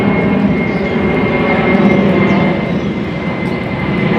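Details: A loud, steady engine roar like a passing aircraft or train fills the whole recording, with a thin constant whine above it.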